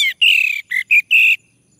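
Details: Male orange-headed thrush singing, prompted to sing: five clear whistled notes in quick succession, a long falling slur first, then shorter bright phrases, ending abruptly in silence.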